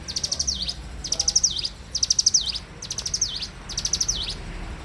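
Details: Bar-winged prinia singing vigorously in the morning: five high phrases, each a quick rattling run of bright notes ending in a sharp dipping-and-rising whistle, about one a second; faint low background rumble.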